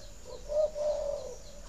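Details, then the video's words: Spotted dove cooing to encourage breeding: a brief soft lead-in note, then an accented coo and a drawn-out even coo on the same low, round pitch over quiet hiss. "Tiếng chim cu thúc đẻ"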